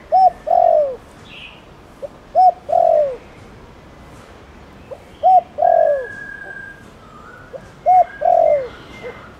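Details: Spotted dove of the Thổ Đồng type calling to get other doves to respond; repeated phrases of a hoot and a long descending croo with a short tail note, while other small birds give thin high whistles and chirps behind.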